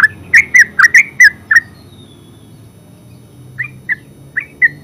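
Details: Yellow-vented bulbul, called terucuk in Javanese, opening with a dense burst of six loud bubbly chirps, then falling silent for two seconds before resuming with four softer, spaced liquid notes.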